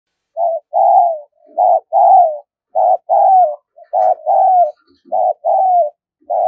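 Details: Spotted dove (Spilopelia chinensis), coo: decoy cooing to lure wild doves.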